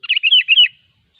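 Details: Wild sooty-headed bulbul singing: a fast bubbly phrase of about five chirpy, warbled notes lasting under a second, then quiet.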